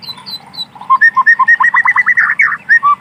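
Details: White-rumped shama singing in wild forest: a fast run of short whistled notes near mid pitch, quickening into a rapid burst of rising chirps, with faint higher notes and a low steady hum beneath.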